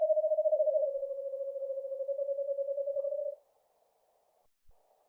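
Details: Eastern screech owl: a steady, low, whinnying trill of rapid pulses on one pitch, lasting about three seconds and slowly fading, followed by near silence with a faint soft echo.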